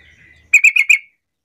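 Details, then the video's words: Lure call of a sooty-headed bulbul meant to get other bulbuls calling in reply: four loud, clipped, ringing notes in fast succession, then silence. "Panggilan trucuk terampuh jadikan trucukan lain ikut bunyi"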